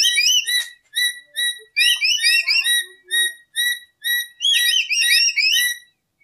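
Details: Lory used as a lure and tutoring recording: loud, clear whistled notes with a rich harmonic stack, given in short rising and falling phrases that repeat in quick bursts with brief pauses between them. The room is otherwise quiet.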